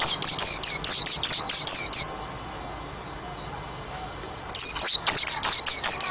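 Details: Fast, continuous white-eye song: a rapid run of about a dozen loud, sharp, falling chirps, a pause filled with soft, thin twittering notes, then another quick burst of bright, high chirps.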